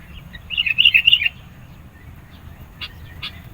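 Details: Sooty-headed bulbul in energetic song meant to pressure opponents and lure birds: a quick bubbling run of whistled notes lasting under a second, then a pause with two sharp ticks.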